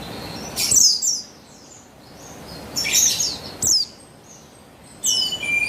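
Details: Female buxtoni Javan white-eye giving calls meant to set a male singing, recorded 3 August 2021: bursts of high, squeaky twittering notes and thin downslurred tweets, irregularly spaced over a light background hiss.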